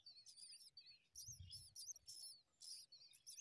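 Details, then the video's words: High thin chirps and squeaky wavering notes in quick clusters from common myna chicks begging as their mother feeds them worms, with a brief low thump in the middle. "Baby Birds Get Fed Worms by Doting Mother!"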